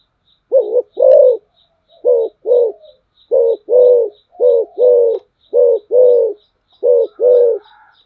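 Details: Spotted dove kept as a decoy bird, giving loud low two-part coos, a short note followed by a longer one, repeated six times over eight seconds. A faint regular high ticking sounds in the background.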